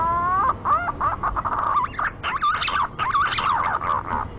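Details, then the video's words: Green pigeon call used as a lure: a run of mellow, wavering whistles that bend up and down in quick, warbling phrases over about four seconds. "burung punai mp3 laki lansung datang"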